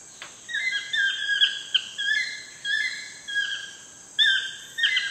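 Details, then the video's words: At sunset in Costa Rica, a toucan gives a run of yelping notes that slide and waver in pitch, each under a second long, with a high insect drone throughout. "TOUCAN SUNSET CEREMONY"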